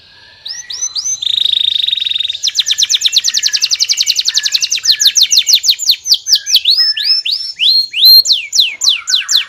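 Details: A canary sings hooked whistles and a brief flat buzzy tone, then a long accelerating trill of high notes that breaks into evenly spaced downward sweeps.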